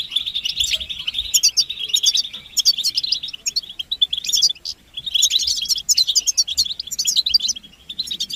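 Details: European goldfinches in group chirping, offered as mating and readiness calls to stir silent males into song: dense, rapid twittering and tinkling chirps, high and bright, in bursts with brief pauses near 4.5 and 5 seconds.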